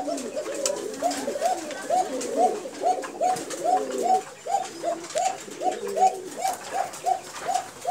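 Pigeons coo in soft, low, rolling phrases repeated steadily, several birds overlapping.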